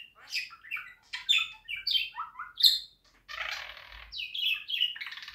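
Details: Pet budgerigar song, meant for playing to other budgies: chattering warble of varied chirps, squeaks and slurred whistled notes, followed by a harsher, scratchy stretch and more chirps toward the end.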